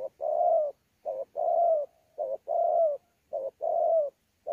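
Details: Spotted dove, wild-caught at Sa Thầy, Kon Tum, Vietnam, recorded 26 November 2019, giving pha đấu coos with gù: four evenly spaced phrases, each a short clipped note followed by a long, soft, falling coo.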